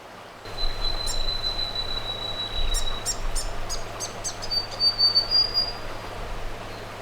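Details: A Grey Fantail hops among rocks and a shrub on the banks of a small creek deep in the South Australian bush. It gives thin, high, sweet notes: long, even squeaky whistles with quick tinkling chips, answered by its mate from a distance, over flowing water.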